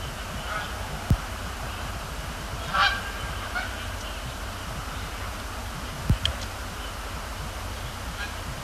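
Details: Canada geese flying over and landing at Sapsucker Woods Pond, Cornell Lab of Ornithology, Thursday night, 26 October 2017; a few distant honks, clustered mid-way and near the end, over constant low-pitched rumble and two sharp clicks.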